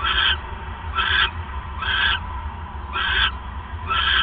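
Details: Owl on the night of December 28, 2014, at 9:42 PM, with the male arriving with a third mouse; five loud, hoarse rasping bursts come in a brief run over a low background hum.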